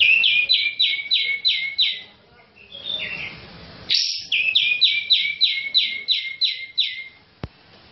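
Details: Champion grey-cheeked bulbul (cucak jenggot) in full song, used as a lure: rapid series of loud, downward-sliding whistled notes, a short varied warble, then another fast run of about a dozen descending notes.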